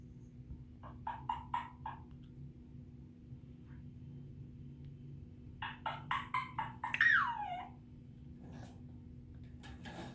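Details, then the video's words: An African grey parrot gives a run of short, buzzy, harmonic notes, goes quiet, repeats the series, then ends with a loud whistle that swoops up and falls away, over a steady low indoor hum. "African grey parrot sounds ,whistling"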